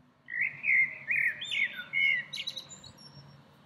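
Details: In spring a small bird perched in a tree pours out a lilting, twisting warble, several linked whistled phrases over three seconds ending in higher, sharper chirps.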